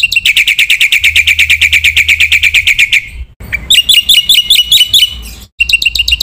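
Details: Masteran training recording of a lively black-winged myna song with full fill-in phrases: a long rapid run of even chipping notes, then after a cut, high hooked whistles repeated about twice per second and a brief trill.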